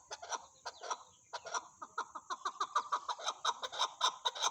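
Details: Chukar partridge calling in a run of harsh chuck notes that start spaced and irregular, then quicken into a rapid, rhythmic chattering series, growing louder toward the end, with a faint steady high hiss behind.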